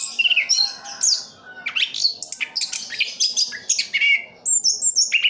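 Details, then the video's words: Pet orange-headed thrush singing energetic bursts of high chirps, thin whistles and trilled phrases, with a brief quieter gap midway before the lively medley resumes. "Anis kembang "Anti Gempa". Rooll full"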